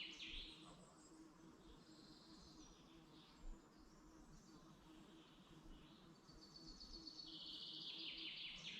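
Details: Birds in the Dublin mountains forest, Ireland, singing in the morning: scattered high whistles and chirps at first, then a long, loud, rapid trill builds over the final two seconds, with a faint low hum throughout.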